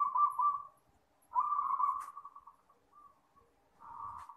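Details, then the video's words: A local zebra dove cooing at night gives three soft, mid-pitched phrases, each a quick staccato run of purring notes that trail off, with quiet pauses between. "Perkutut Lokal Manggung Di Malam hari"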